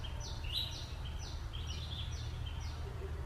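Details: Repeated shrill, descending squawks from a green parrot, six sharp strokes spaced roughly half a second apart, with constant low-pitched environmental rumble underneath.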